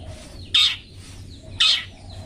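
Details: Two loud, grating squawks about a second apart from a long-tailed shrike, part of 'toet toet' training material for pet birds, over a faint low hum.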